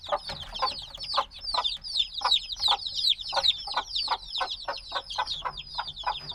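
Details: A noisy group of young black chicks, days old and still needing warmth, peeps rapidly: thin, falling high cheeps overlapping, louder ones coming about two or three times a second.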